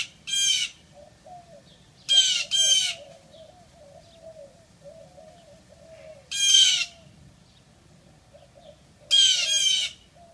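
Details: Blue jay (Cyanocitta cristata) scolding a Siamese cat, which talks back: harsh, raspy jeer calls, given singly and in pairs.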